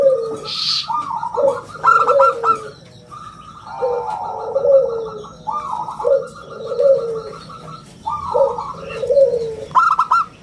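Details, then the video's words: Local zebra dove in full song, a clear round crystal voice used as lure and master recording: repeated phrases of rapid pulsed coos about every two seconds, paired with lower mellow gliding notes and a short noisy burst at the start. "perkutut lokal gacor suara istimewa buat pancingan dan masteran"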